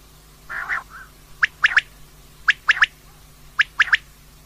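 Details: Common quail (Coturnix coturnix) call, labelled for night-time use as a hunting lure, possibly a female's call: three sharp, liquid triple-note phrases about a second apart after a softer burbling opener, over a low steady hum.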